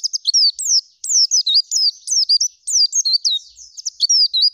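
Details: Oriental white-eye in gacor full isian song with nembak and ngerol zipper delivery: a continuous stream of very high, sharply falling and rising whistled notes in quick, uneven bursts.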